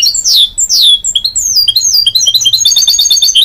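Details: Goldfinch-canary hybrid, or mule, singing: loud sweeping whistles falling in pitch, then rapid twittering notes and quick high trills, close and clear.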